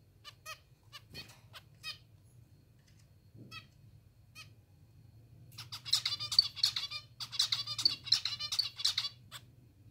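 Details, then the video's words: Hungry pet zebra finches being hand-fed, begging: a few spaced buzzy, harmonic-rich calls, then from mid-clip a dense rapid burst of harsh nasal chirps repeated several times per second, with a low steady hum beneath. "Hungry Zebra Finches || Hand feeding zebra finches"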